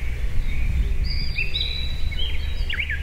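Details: Blue-and-white flycatcher song from a Tochigi Prefecture forest in Japan, May 2019, binaural recording: a series of clear whistled notes ending in a quick descending twisting flourish, with a constant low rumble beneath.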